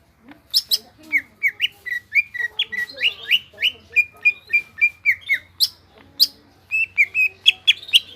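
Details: Greater green leafbird in energetic gropyokan gacor song, pouring out a fast, irregular stream of sharp whistles, squeaks, and slurred chips with short gaps, over a faint low hum.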